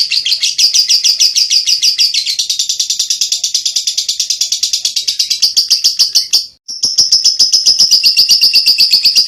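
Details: Lovebird in long ngekek, a training master song for songbirds: unbroken high, rattling trill of fast pulses lasting several seconds, brief pause, then resuming.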